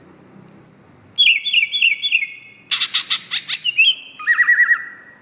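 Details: Greater green leafbird in vigorous song: a high thin whistle, then a run of repeated slurred notes, a burst of harsh rapid chatter, and a final trilled, wavering whistle held low.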